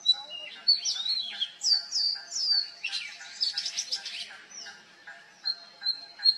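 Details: Mimicking song of an Oriental magpie-robin, copying calls of species like the Black Drongo and juvenile Black-naped Oriole: clear whistled slurs, a run of repeated falling notes, buzzy churrs, then steady high whistles.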